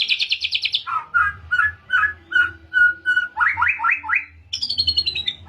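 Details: White-rumped shama, Pastol type, learning canary phrases, delivers loud rapid buzzy trills, steady repeated whistles, a run of rising notes and a high descending trill.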